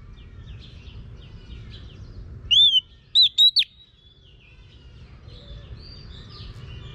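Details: Female Oriental magpie-robin urging a male to sing: a brief phrase of three or four quick whistled notes amid soft, distant chirping and steady background noise.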